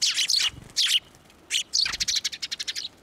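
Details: Sparrows flying onto a hand to be fed at a Tenmangu shrine, 11 March 2024: loud bright chirps in quick bursts, then a rapid run of short repeated tweets near the end.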